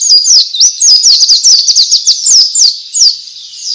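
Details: Rapid ngalas song of a white-eye, used to get other white-eyes to sing. Thin, high chirps follow one another at about four per second in a steady, shrill twitter.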